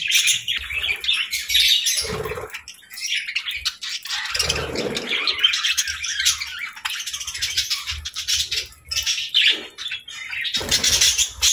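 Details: Cheerful budgies chirping and singing in a steady, busy stream of scratchy warbles and squeaky chirps, with occasional rattling bursts and soft low rustles underneath.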